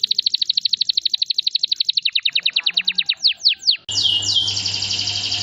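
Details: Canary song from a masteran training lure for other canaries, tembakan style: a very fast even trill of clear notes slows into widely spaced falling sweeps, then jumps to a loud dense roll with a hum beneath.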